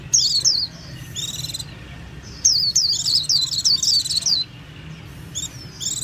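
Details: Japanese white-eye song: quick, zigzagging high chirps strung into twittering phrases alternating with buzzier, tinny notes.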